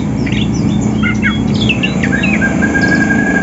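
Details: Greater green leafbirds, Banyuwangi and Sumatra forms, singing in the morning while seeking a rival ahead of contests: rapid varied whistles and slurred chirps, then one long level whistle, against a low steady hum.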